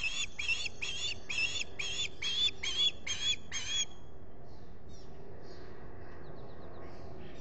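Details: At a Finger Lakes osprey nest in July 2021, a solar nest camera catches a run of about eight loud, harsh squawks over four seconds, followed by near quiet with faint distant chirps over a low background rumble.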